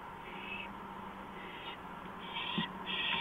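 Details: Owl at night on a porch, April 5, 2015, 2:05 AM: harsh hissing screeches come in quick succession and grow louder toward the end, with a low, steady hum underneath.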